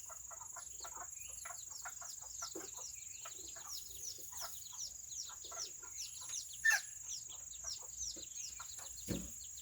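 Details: Serama chickens, among the world's smallest, on a rainy Saturday: a rapid stream of thin, high, downward-slurred peeps from several birds, tumbling over one another, with a steady high-pitched whine throughout.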